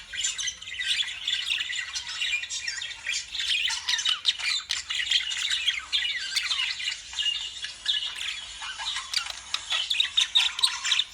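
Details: A steady wall of lovebird calls, with rapid raspy squawks and squeaky chirps crowding over each other, and a few downward-sliding notes mixed in.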